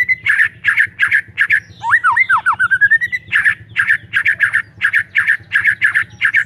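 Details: Lively white-rumped shama singing hard as a lure for shamas that have stopped singing: fast rhythmic bursts of harsh chattering notes, broken by a cascade of falling and rising whistled slurs, over a faint low hum.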